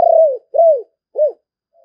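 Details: Decoy spotted dove calling to lure others: three low, hollow coo notes, each gently rising then falling away, the first longest and slightly fluttering, spaced about half a second apart in a quiet setting.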